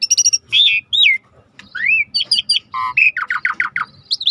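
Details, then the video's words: Asian pied starling singing, used to coax a silent bird into song: a varied medley of rapid high chips, curling whistles rising and falling, a low nasal note, then a quick run of descending chirps. "tembak burung jalak suren yang macet bunyi"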